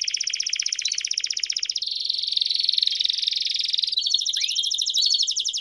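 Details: Canary song in the campainha (bell) style with peeps for training young canaries: a rapid, rattling trill switching to a lower, denser rolling buzz, then a bright higher trill with a brief falling whistle.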